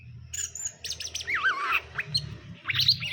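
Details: Caged greater green leafbird pair, male and female, being paired; looping slurred whistles and sharp chirps over a noisy background with low rumbling.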